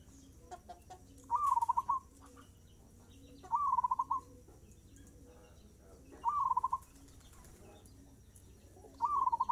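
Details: Zebra dove singing at a fast tempo: a rising whistled note breaking into a quick run of cooing pulses, each phrase about a second long, repeated four times roughly every two and a half seconds, with faint background clatter.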